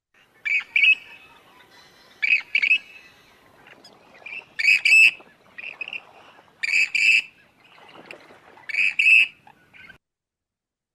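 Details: A Western Grebe on a large open prairie marsh lake gives loud, grating two-part creaking calls, 'krrick-krreek', about every two seconds, five in all, carrying far over the water.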